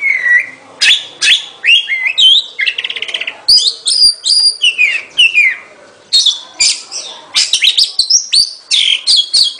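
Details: Loud varied song of an Oriental magpie-robin, mixing bright whistles, downslurred notes and a fast rattling trill, delivered in energetic bursts separated by brief silences.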